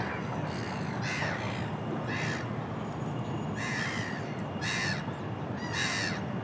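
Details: Seagull giving harsh, grating calls in short bursts roughly every second, six in all, over a steady wash of background noise.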